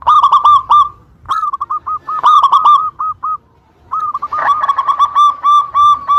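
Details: Local zebra dove lure song, played to get competing birds to answer: quick bubbling coo bursts, then a longer chain of crisp repeated notes, a short silence, and another steady run of rolling coos.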